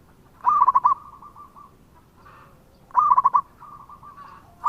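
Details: Local zebra dove in full song, recorded as a lure: two phrases roughly two and a half seconds apart, each a rapid bubbling burst of coos running into a fading string of lighter notes.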